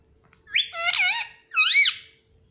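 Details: Pet rose-ringed parakeet imitating speech, taught words such as "mummy" and "papa": two loud harmonic, warbling phrases, the first longer and wavering, the second arched, with a quiet room behind.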